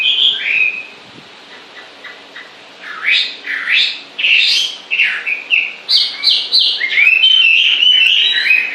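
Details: Continuous bird song, said to sing all the time: after a short pause, a rapid series of bright rising and falling whistled notes, about two or three a second, ending in a denser, higher warbling stretch.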